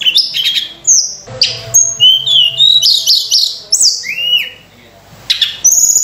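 A Sunda robin sings a rapid, varied run of clear whistles, sliding notes and chattering phrases, high-pitched and almost continuous, broken by a few short pauses.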